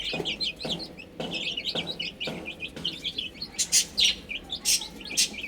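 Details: Baby chickens eating and drinking keep up quick, high peeps. Regular pecking taps fall about every half second early on, then brief louder noisy bursts come toward the end.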